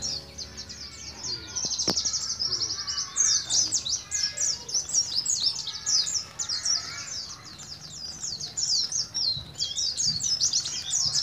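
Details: Young Oriental white-eye (pleci) kept as a pet, from Moga, Pemalang, Central Java, just beginning to learn the rolling ngalas ngeroll song style. Dense, rapid, high twittering with short sweeping notes runs almost without pause, loud bursts rising and falling.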